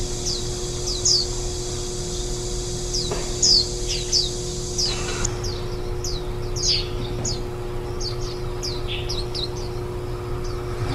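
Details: Warbling white-eye at a nest with ten-day-old nestlings on 23 July 2018, the day before fledging. A series of quick, high, falling chirps and twitters runs throughout, above a steady low hum.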